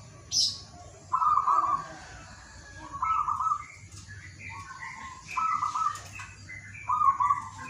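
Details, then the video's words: Morning song of a local zebra dove, played to draw other doves into singing: a string of short rolling coo bursts with brief gaps between them, mixed with higher chirping from other small birds. "PANCINGAN TERAPI PERKUTUT MALAS BUNYI DI PAGI HARI"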